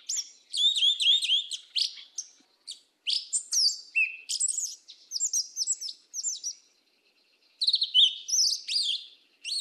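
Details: Song of the yellow-legged thrush, mateiro do sul style: a long, fast stream of varied high chirps, trills and whistled slurs, with one short gap before a final burst of phrases.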